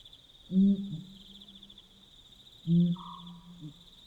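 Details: At night in Botswana, a Pel's fishing owl gives two loud, deep booming hoots about two seconds apart, each sliding into a long low drawn-out tone, with a short mid-pitched note and continuous cricket chirring in the background.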